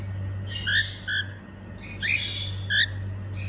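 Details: A female cockatiel singing with happy sounds, giving paired rising chirps with rich overtones in short bursts spaced by brief pauses, a constant low hum underneath.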